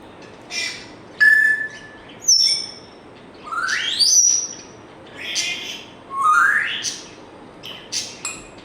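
A grey parrot runs through a medley of whistles: a flat tone, sharp chirps, and several fast rising sweeps, each about a second long.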